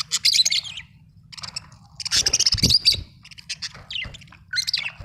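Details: Budgerigar chirping in a lively run of high, scratchy warbles and clicks, broken into several bursts with short pauses between them.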